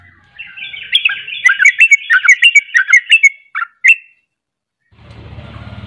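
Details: Strong 'ropel' song from a sooty-headed bulbul, called trucukan: a fast chattering run of bubbly whistled notes, two separate closing notes, then silence and a low rumbling noise.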